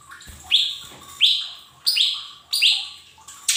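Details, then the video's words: Lesser green leafbird used as a singing lure for untrained cage birds: regular bright notes that jump upward then hold steady, roughly every two-thirds of a second, ending in a harsh high burst, faint hum underneath. "Pancingan cucak ijo mini bahan agar cepat bunyi"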